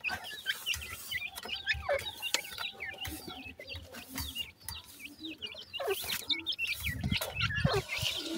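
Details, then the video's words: Baby grey francolins feeding, producing rapid high chirps and twitters over a noisy background with occasional low thumps. "baby grey partridge says,gora teetar cheks ki feeding"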